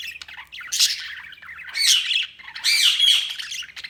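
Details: Budgerigars chirping in a dense, continuous stream of scratchy squawks and warbling chatter, with louder bursts at regular intervals; nothing else clearly heard.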